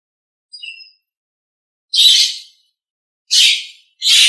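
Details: Nias hill myna used as a master recording for training other birds: a short thin whistle followed by three loud, harsh, rasping squawks spaced roughly a second or more apart.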